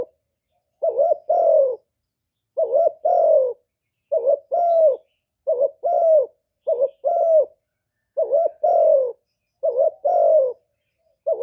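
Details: Cooing spotted dove, recorded clean for trappers to draw wild birds in and rouse newly kept doves: soft, low two-part coos, a quick lead note followed by a drawn-out, slightly falling note, repeated roughly every one and a half seconds.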